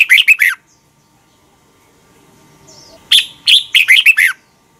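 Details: Thai Red-whiskered bulbul, a doubled training song for young birds to copy. Two crisp bursts of quick, loud, descending-slurred notes with a hushed pause between them and a faint whistle in the gap.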